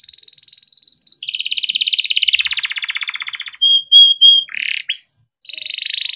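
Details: Domestic canary in long song: a thin whistled note, a broad buzzy rolling trill, three loud pure whistles, a rough burst and a short rising note, then trilling again after a pause.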